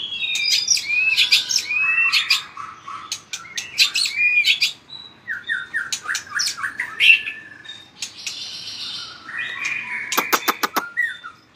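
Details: White-rumped shama, caged, singing to compete and flicking its tail hard: clicks, loud rich whistles and a run of descending slurred notes, ending with a burst of sharp rapid ticks.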